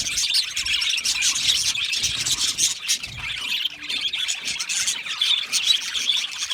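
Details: Australian budgerigars chirping to each other, a constant, gentle, high twittering from a crowd of birds with irregular squeaks woven through.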